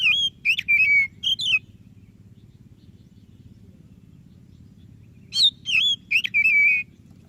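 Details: White-breasted Oriental magpie-robin in full song, meant to prompt a lazy bird to sing: bursts of clear, bending whistles and a sliding note, then a long silence before a second run of bright whistled phrases, with low background hum.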